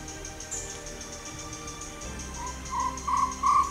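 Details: A Chestnut-backed Owlet, a Sri Lankan endemic often active by day, calls a short run of four mellow, far-carrying 'krew' notes, about three a second, each louder than the last, over a low background hum.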